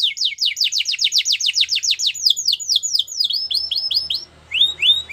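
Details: Champion canary song for training: long rapid series of falling whistled notes at steady pace, changing to softer downward-slurred phrases, then brief rising chips after a short gap.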